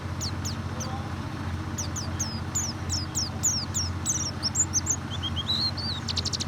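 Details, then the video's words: White-eye sounds played to prompt a reluctant bird to sing: sharp high downslurred chirps that speed up, followed by a brief warbled whistled phrase and a final rapid trill, with a low hum throughout. "pancingan burung pleci susah bunyi"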